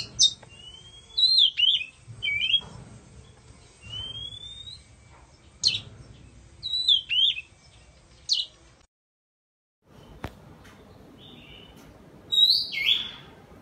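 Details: Indonesian Oriental magpie-robin, singing during its tail-fanning dance, gives sparse, clear whistles, some rising and some dropping, spaced a few seconds apart over a faint, low background hum.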